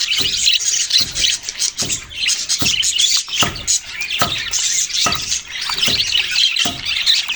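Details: Budgies including babies chirping in a steady high chatter, with regular sharp tapping clicks roughly every second underneath.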